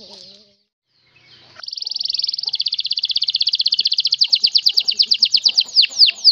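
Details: Canary (Serinus canaria) kept in Pemalang, Central Java, Indonesia, singing a long, rapid rolling trill of high, bright notes that slows into looping, sweeping whistles at the end, after a moment of quiet.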